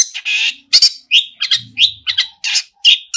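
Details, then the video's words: Long-tailed shrike singing a full, varied song: harsh buzzy bursts mixed with short whistled and mimicked notes in rapid irregular succession, loud and close. "pentet full isian gacorr"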